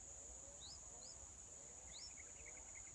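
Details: Yellow-vented bulbul, a wild mother bird tending and feeding chicks on the fourth day: three quick high upswept squeaks, then faint softer notes, with a constant high-pitched insect hum behind.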